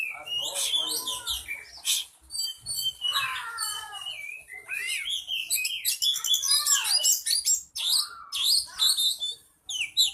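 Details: Oriental magpie-robin song, used to make another magpie-robin sing and turn aggressive. A dense, varied run of high whistles, chirps and rapid trills, with fast slurred phrases and sharp clicks following one another without pause.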